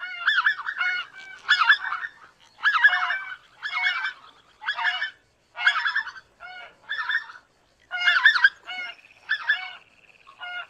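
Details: Greater white-fronted goose giving loud, nasal honking cackles in quick bursts of two or three notes, about ten bursts over eleven seconds, the later ones softer and more spaced, with no other clear sounds.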